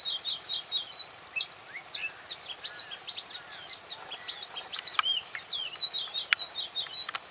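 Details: Oriental magpie-robin song recorded at Bada, North 24 Parganas: rapid, varied high whistles and sharp clicks, some notes swooping down, delivered in quick bursts over a constant high-pitched hiss.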